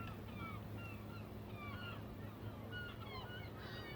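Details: Large flock of birds taking off and landing on a lake in New Jersey; short, sliding calls from many birds overlap in a steady stream over a constant low hum.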